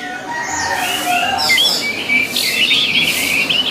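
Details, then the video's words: Orange-headed thrush singing on a training recording for kept birds, with a varied string of clear whistled notes, slurred upward and downward, ending in a fast jumbled warble. "MELATIH SUARA ANIS MERAH AGAR CEPAT GACOR"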